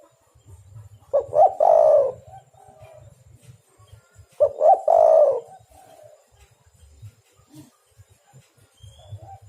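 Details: Spotted dove, Javanese derkuku, calling energetically in a recording used as a lure to attract and trap doves; two loud, hoarse cooing phrases about three seconds apart, each a couple of quick notes then a long drawn coo, faint chirps behind.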